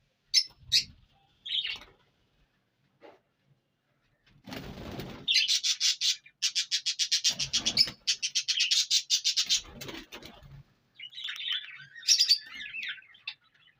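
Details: Indian ringneck parrot, Punjab, Pakistan: a few sharp squawks, rubbing noise, then long runs of fast raspy screeches and closing chatter.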